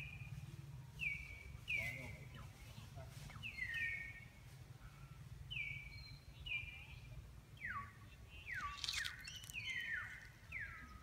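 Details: A bird at Angkor Wat gives clear, high notes that slur downward, often in quick pairs, repeated roughly every second over a steady low rumble of background noise.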